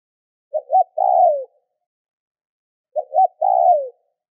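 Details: Spotted dove, kept as a decoy bird, giving a soft, low coo twice, about two and a half seconds apart: a quick stuttered double note, then a longer falling cooo. Nothing else is heard.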